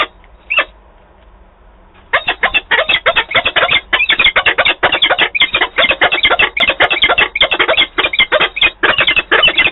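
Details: Peregrine falcons at Wałbrzych, Poland, on 5 October 2022, meeting and quarrelling over the remains of their prey. One brief call is followed after two seconds by harsh, rapid, continuous chattering calls that keep repeating to the end.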